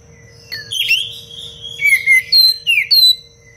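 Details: Oriental magpie-robin singing a tight, varied phrase for training other birds: a run of loud whistled notes, several slurring downward, delivered in quick succession over about three seconds, with a faint constant hum beneath.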